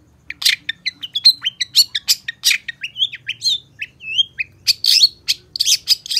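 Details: Long-tailed shrike pouring out a rich, fast song of sharp chirps, whistled up-and-down slurs and buzzy harsh bursts near the end, almost without pause.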